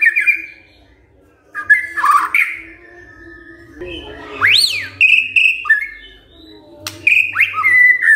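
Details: White-rumped shama responding to a lure recording with scattered phrases: short whistles, a loud rising sweep and clear whistled notes separated by quiet gaps, over a low hum.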